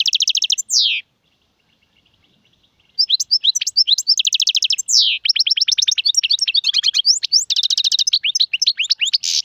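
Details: Extended European goldfinch song in the Serfati, Gzirati and Tserseer styles: a trill and buzzy slur, a silent pause, then a long stream of high twittering notes, rapid trills and repeated rasps.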